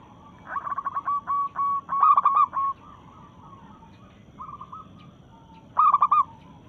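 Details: Local-strain zebra dove challenging rivals while breeding: a fast run of short, clipped coos that builds into a louder rolling coo, then a brief soft note and another loud stuttered coo near the end.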